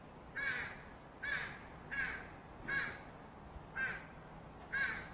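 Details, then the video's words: Offscreen fledgling Northwestern crow begging for food with six hoarse, nasal caws spaced nearly evenly, about one every second, against a quiet background. "Interesting fledgling crow begging vocalizations (crow sounds)"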